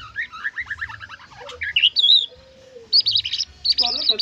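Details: White-rumped shama delivering trotol-style song full of isian: quick bursts of varied whistled and chattering notes, rising and falling, with a loud high sweeping phrase near the end, over a faint low hum and a soft gliding tone.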